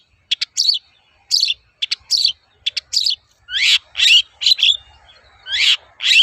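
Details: Long-tailed shrike in toet-toet lure song meant to prompt other birds to answer: quick ticks followed by longer harsh, scratchy notes, irregularly spaced and growing louder.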